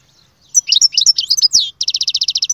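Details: Singing goldfinch: a jumble of squeaky, twittering phrases with a slurred descending note, then a crisp, regular series of about eleven buzzy pulses.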